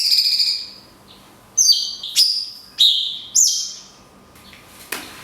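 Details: Cungkok 'tembakan kunti panjang' shots with natural pauses, a tutor recording for songbirds: a long, high, vibrating whistle, then four quick, sharp, falling whistles about half a second apart and a final soft note.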